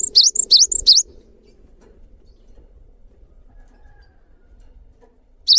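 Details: Cinereous tit, known locally as gelatik batu, in full gacor song used for training other birds: three rapid high two-note whistled phrases, then about four seconds of near silence before the phrase starts again.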